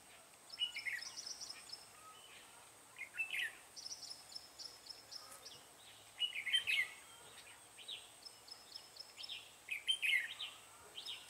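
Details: Red-whiskered bulbul used as a decoy at a trap on 7 January 2017, singing to lure wild bulbuls: bright warbled phrases recur about every three seconds, with fainter chirps from other birds between them.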